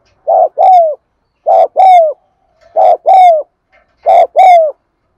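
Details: Loud, close spotted dove cooing, used to start silent caged doves cooing: four paired phrases, short coo then longer bending coo, about one phrase every second, bright and clean.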